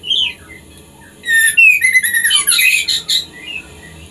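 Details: Breeding-prompt song of a white-rumped shama for farmed birds: scattered soft whistles, then a sudden loud outburst of descending whistles, bright trills and chirps. The outburst eases back into quiet single notes.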